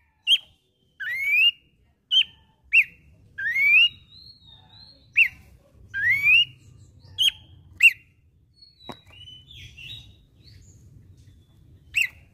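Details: Abbott's babbler (pelanduk semak), a vigorous singer recalling hillside scrub: a series of short rising whistled notes roughly once a second, then softer wavering notes, a sharp click and quiet low rumble.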